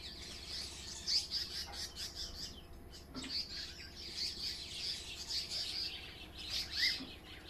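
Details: African paradise flycatchers harassing a hornbill near their nest with chicks at Onverwags Caravan Park; a busy run of high, thin chirps and twittering notes, with a few lower rasping sounds and steady low background noise.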